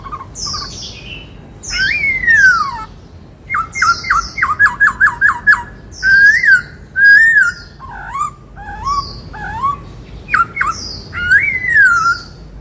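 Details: Cage-kept white-cheeked laughingthrush singing in the 'bắt cô trói cột' style: loud slurred whistles sweeping downward, then rapid runs of short repeated notes, a rising-falling whistle and buzzy overtones, phrases every one to two seconds in a quiet room.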